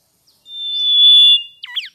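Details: Mangrove whistler of South-east Asia chirping sweetly: a long, pure, level whistle held for nearly a second, followed by two quick sharp slurred notes.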